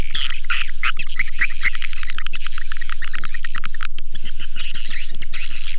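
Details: Swiftlets chatter in a steady stream of sharp high chirps and brief whistled notes, backed by a regular low beat roughly four times each second.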